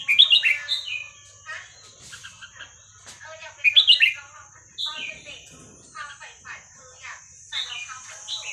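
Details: Red-whiskered bulbul performing the hua krok khayao khuat song, played to teach young birds: loud rolling whistled phrases at the start and after three seconds, between softer chattering notes and a faint steady hiss.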